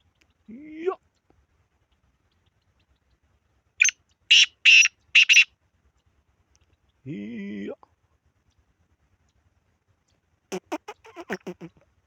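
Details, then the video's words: Series of grating, raspy notes from a black francolin, four harsh bursts in a row, set among a rising tonal sound, a buzzy humming note and a later quick train of soft pulses. "کالا تیتر کی مکس آوازیں"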